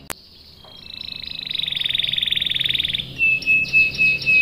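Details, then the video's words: Canary song building from quiet into a long rapid rolling trill that grows louder for about two seconds, followed by a pure steady whistle and short high notes. "PANCINGAN KENARI GACOR bikin NYAUT ikut BUNYI NGEROL | CUIT CUIT | CANARY SINGING"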